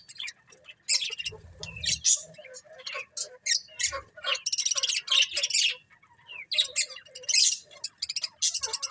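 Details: Several colourful pet budgies chirp and chatter, with dense, bright warbling bursts, scratchy squawks and rapid high twitters running almost without pause, plus a brief low thump near the start.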